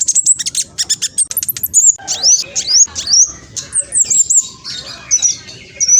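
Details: Fast, vigorous song of a spotted black sunbird: rattling high ticks followed by rising, whip-like whistled slurs and thin twittering phrases.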